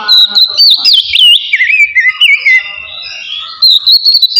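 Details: Oriental magpie-robin, a kept bird, in relaxed full song meant to stir emotion and breeding drive: continuous rich whistled phrases, rapid slurred notes falling then rising again, loud and unbroken throughout.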